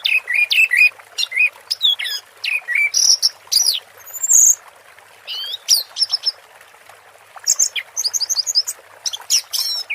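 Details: Orange-headed thrush singing in the 'teler' style, paired with water therapy sounds: varied high chirps, sharp upslurred whistles and trilled bursts in quick separated phrases over a steady soft hiss.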